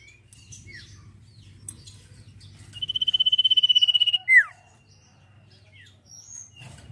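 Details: Sirpu, the velvet-fronted nuthatch, singing its ngetir trill as training audio for cage songbirds. Thin chirps surround a quick, level, rattling trill lasting over a second, closed by a sharp falling whistle, then quiet scattered notes.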